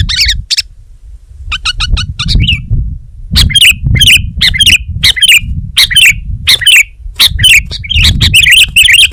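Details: Sooty-headed bulbul, a caged-style songbird in strong form, starting with a few chirps and a soft rapid stutter, then loud bubbly warbled phrases repeated steadily about twice a second.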